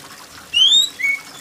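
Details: Brief shrill whistling from an oriental magpie-robin over rainwater: a long rising whistle, then a short lower level note.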